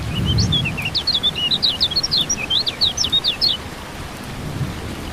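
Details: Kecial kuning (white-eye) in rain therapy meant to make birds sing: a quick, high twittering phrase of slurred chirps lasting about three seconds, with light rain and a low rumble around it.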